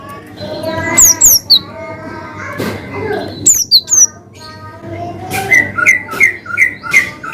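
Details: Cinereous tit singing in the lively 'gacor' style of long 'wucit' whistles with 'ngalas' variations: high, sharply descending whistled notes in short bursts, then a run of lower repeated chirps, over background music and voices.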